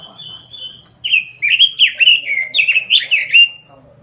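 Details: Full, lively robin lure song: a thin steady whistle, then about two and a half seconds of fast, loud, slurred warbling phrases that rise and fall continuously.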